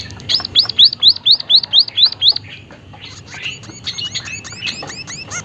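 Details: White-headed munia (emprit haji), described as a seed-eater of the Malay Peninsula, Sumatra, Java and Bali, giving a rapid series of high, thin up-slurred notes about eight times in two seconds, then softer mixed chirps.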